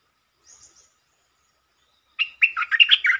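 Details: Short, pleasant red-whiskered bulbul song in the 'dok taeng' style, opening quickly. A faint high chirp comes first, then after a pause a rapid burst of rich, varied warbling notes that rise and fall.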